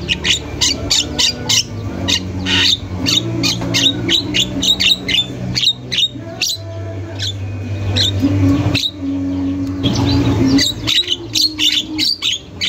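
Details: Javan myna in a masteran recording, singing without stopping: long runs of quick, harsh, high chattering notes, briefly broken by short pauses and noise, over a constant low hum.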